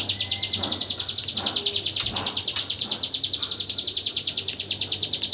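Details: Hill prinia, training audio for white-rumped shamas, delivering its 'tembakan AK47' song: a long, even barrage of high, piercing notes at a quick machine-gun pace, with a few soft clicks and lower sounds behind.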